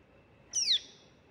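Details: Pale-billed flowerpecker chick begging: one thin, high, sharply falling squeak lasting about a quarter second against a quiet background.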